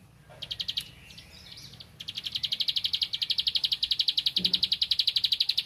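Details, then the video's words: Ciblek padi, the bar-winged prinia, sings as it seeks a rival. A short, uneven start breaks off, then a long, even, rapid run of shrill ticking notes follows, with a faint low knock midway. "Ciblek Padi Cari Lawan Gacor Temabakan Ngempel"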